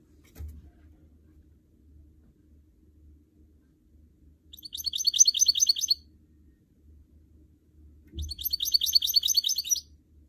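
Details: Goldfinch mule, a canary crossed with a goldfinch, in captivity and being encouraged to sing. Two fast, bright twittering phrases of about one and a half seconds each come several seconds apart over quiet indoor background with soft knocks.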